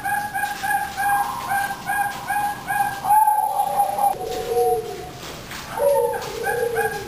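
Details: Breeding female zebra dove of the Teratai line giving rapid strings of soft, hollow coos, rising then dipping into lower drawn-out notes, with other doves cooing nearby and a thin high whine throughout.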